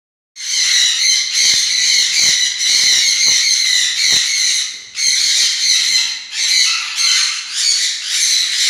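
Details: Black-capped parakeet giving harsh, grating, high squawks in long unbroken bursts with brief gaps, loud and close, with a few soft clicks and taps underneath.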